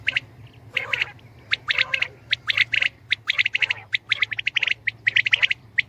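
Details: Common quail, or batair, with several birds calling together in a dense chorus of sharp clipped notes, overlapping triplets and rapid chattering runs, over a low background hum.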